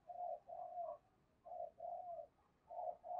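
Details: Decoy spotted dove calling to draw wild doves in: soft, low, hollow coo notes in pairs and short runs, separated by brief pauses, against a faint, steady background hiss.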